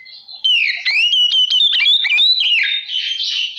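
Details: Oriental magpie-robin lure song to provoke other magpie-robins: loud, rich whistled phrase with rising and falling slurs broken by rapid clicking notes, then softer buzzy warbling at the end.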